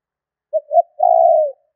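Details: Spotted dove cooing, used as a lure call for catching birds: two short low coos followed by a longer drawn-out coo that falls slightly at the end, in silence.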